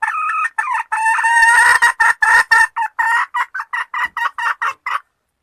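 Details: A female red junglefowl calling the male gives a long chain of loud, nasal, squawking clucks. They start as drawn-out notes and quicken into shorter, choppy bursts over five seconds.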